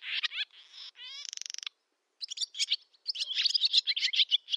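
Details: Barn swallow summer song from Novgorod oblast, Russia, August 2013: chattering notes, then a quick rising ratchet-like rattle, a pause, and renewed rapid twittering warble.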